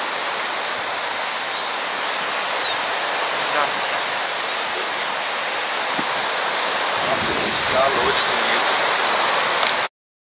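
Two high, thin whistled phrases from a Blue Finch, each sweeping up then down, about a second and a half apart, over steady rushing water.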